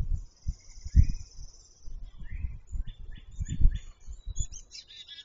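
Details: Grackle calling: a long, harsh, high buzz, then rising squeaky notes, a series of short raspy chatters and sharp high squeals at the end, over low thumping rumbles.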